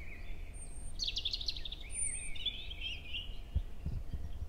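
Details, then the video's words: European robin singing in a forest near Hoher Peißenberg, early May, 7 a.m.; a female nearby trades contact calls with the male. Thin, high warbled strophe of tumbling twittery notes after a sustained whistle, with brief very high squeaks. "Rotkehlchen (4) - Gesang im Mai - 100 verschiedene Strophen in 11 min"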